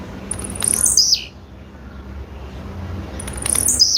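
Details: Female blue-black grassquit: a shrill, downward-sweeping buzzy call, then a second one begins about three seconds later, with a quiet low hum throughout.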